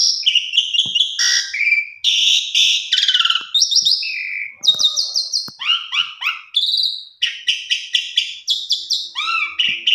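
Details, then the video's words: Pied myna lure song to get silent mynas singing and showing their repertoire. Dense, unbroken run of rasping bursts, sliding whistles and rapid repeated chips, ending with upward-hooked notes. "Pancingan Jalak Suren Macet Bunyi"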